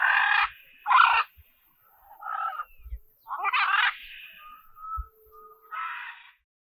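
A macaw gives five harsh, raucous squawks spread over about six seconds, with a thin whistled note drawn out between the last two.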